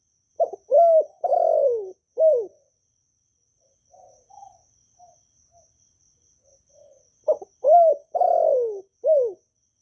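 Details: Caged spotted dove from Vietnam, cooing to spur newly kept doves to sing. Two matching four-part phrases, each with a stutter, arched coo, long falling coo and short arched coo, separated by soft murmured notes.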